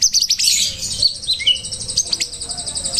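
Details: White-rumped shama song used as training material for other shamas: rapid high twittering and a sustained metallic trill, with short whistled slurs running beneath.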